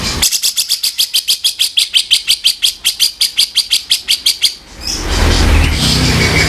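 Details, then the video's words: Rough 'kasaran' song of a grey-cheeked bulbul from a tutor recording: rapid harsh chips roughly three per second for about four seconds. Then comes a broad noisy rush, like handling or wind. "guru vokal sepesial suara kasaran cucak jenggot"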